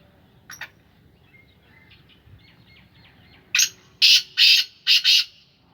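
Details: Soft distant chirps first, then a pet black francolin of the Sindhi Gangas line bursts into a rasping call: one sharp note, two longer grating notes and a quick closing double.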